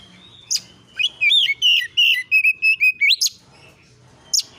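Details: Oriental magpie-robin song used as a lure to draw answering calls: a short burst of sliding whistles and quick chirps between sharp isolated notes, over faint low hum.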